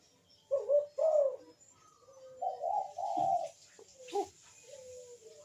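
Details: Ringneck dove giving softer, broken bekur-style coos meant to prompt other doves to call: short rising notes and a drawn-out coo over a faint steady hiss, with a click near the end.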